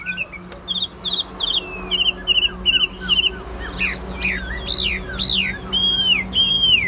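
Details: Chinese hwamei, a tame kept bird, singing: quick runs of short repeated notes at an even pitch, then loud slurred whistles that swoop down and up, repeated several times, over a steady low hum.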